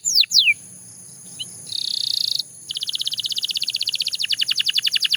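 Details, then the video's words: Belgian canary giving two falling whistles, a pause, a brief buzzy burst, then a long run of rapid high trilled notes that grows slightly louder, against a soft background hiss. "The Most Effective Canary Singing Sound – Belgian Canary Edition"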